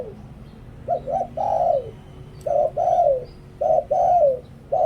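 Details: Spotted dove decoy bird in Thailand, cooing in the Liw Tan style used to lure wild doves. It gives short hooting coos, then longer falling coos in uneven groups, over faint background hum.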